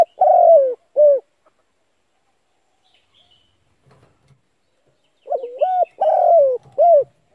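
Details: Spotted dove calling to prompt decoy birds to coo. A drawn, slightly falling coo and a short coo are followed by several seconds of silence, then a phrase of wavering notes, a long hollow coo and a closing short coo.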